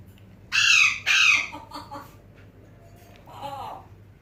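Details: Captive African grey parrot that talks, whistles and calls names; two loud harsh squawk-like whistled notes, a few fainter broken notes, then a soft low rising-falling whistle near the end.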